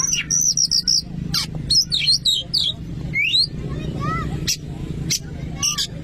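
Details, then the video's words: Oriental magpie-robin in lively song meant to stir another to sing: fast shrill trills, swooping whistles and curved slurred notes, over a low continuous hum. "KACER LANGSUNG EMOSI DENGAR VIDEO INI ‼️"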